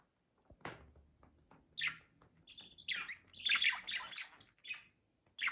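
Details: Budgerigars during mating, giving scattered chirps and squawky warbles between about two and six kilohertz, with short gaps of near silence and faint low background hum.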